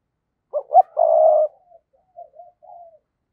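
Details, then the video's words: Decoy spotted dove calling in the thúc and gáy gọi styles to lure wild doves: two short low coos, then a longer steady coo, followed by several faint, softer trailing notes. "Chim Cu Mồi Thúc Và Gáy Gọi Dùng Kích Bổi Hiệu Quả Mỗi Ngày"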